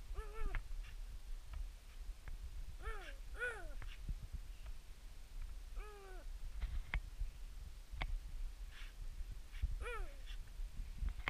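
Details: Himalayan snowcock at Machhermo giving short, nasal, down-slurred calls, singly or in pairs, every few seconds over heavy wind rumble and scattered clicks.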